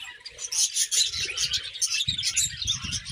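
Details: Budgerigars chirping in the morning: a dense, continuous chatter of high warbling and squeaky notes from several birds together, with low thumps and rustling underneath.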